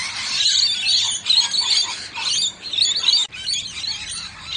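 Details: Two rainbow lorikeets sharing a drink give a constant harsh, high-pitched screeching chatter in rapid, uneven bursts, with no other clear sounds.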